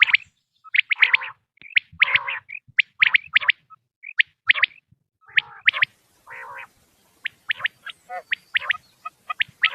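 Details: Recording of quail calls for hunting: irregular bursts of sharp chirps and brief whistled notes, some harsher broadband notes, spaced about a second apart.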